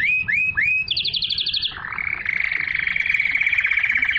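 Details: Canary song meant to stimulate females to mate and teach chicks: three upward-curving whistles, a rapid high trill, then a long even rolling tour with pulsing rhythm.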